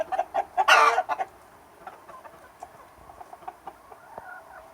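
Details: Chickens and roosters in summer: a sharp loud squawk burst near the start among clucks, then quieter scattered clucking and murmurs from the flock.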